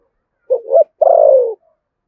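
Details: Deep 'thổ sấm' cooing of a spotted dove from Đồng Nai, Vietnam, in 'thúc gù' style: one phrase made of a brief two-note coo and a long, even, gently dropping low note, with silence around it.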